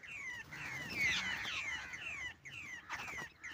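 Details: Babblers near a net trap set for bird hunting give a dense burst of harsh, descending chattering notes. It is loudest early, then breaks into separate slurred calls, with faint voices in the background.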